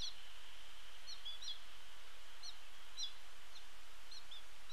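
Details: Several noisy American goldfinches at a tray feeder by Sapsucker Woods and its pond, Cornell Lab of Ornithology, 11 October 2017, give thin, high, twittering chirps in short scattered bursts, some slightly rising, over a steady background hiss.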